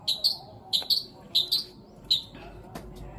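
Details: A long-tailed shrike sings its sparrow, petir and kuntilanak fills, aimed at getting quiet shrikes to sing again: sharp paired high chirps repeated roughly every half second, ending in a softer scratchy note, with low background noise.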